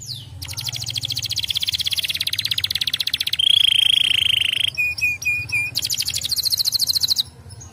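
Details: Domestic canary delivering stimulating song to set other canaries singing. Rapid rattling trills run throughout, broken by a pure steady whistle, then a few clipped notes, before the fast high trill resumes.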